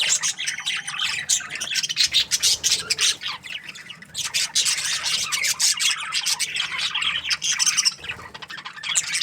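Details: Budgerigar breeding pairs in an aviary produce a steady, rasping chatter of many overlapping high chirps, buzzy and grainy throughout.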